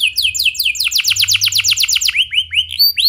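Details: Canary in clear rolling song meant to prompt other canaries; rapid rising notes repeated quickly in a trill, slowing into a few separate upswept whistles.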